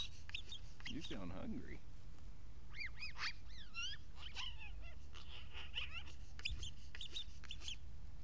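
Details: One talkative magpie at a day center in Aspen: a series of clear, arched, whistled notes, some rising and falling in quick pairs, with a lower harmonic warble early on and steady low background rumble.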